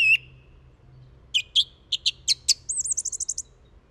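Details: A song thrush gives a whistled note, then a series of short, sharp repeated phrases and finishes with a rapid, high run of looping notes, faint low rumble underneath.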